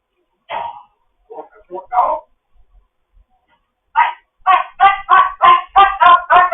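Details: Morning chatter from a foster African grey parrot: a few raspy syllables, silence, then a steady series of about eight harsh, barking notes repeated roughly three per second.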